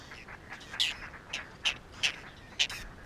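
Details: Whiskered terns at a nesting colony on water chestnut and lotus beds in the Astrakhan State Nature Reserve, Russia, 22 July 2017, birds adjusting nests over clutches; short harsh calls repeated roughly every half second, faint background chatter.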